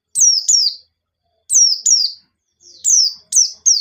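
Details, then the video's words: Shrill white-eye song used as a lure, ngalas nembak style: quick pairs of descending high chirps, a pause, then a faster run of notes speeding up toward the end, quiet background. "Burung Pleci Gacor Ngalas Nembak || Pancingan Penggacor Pleci Bahan"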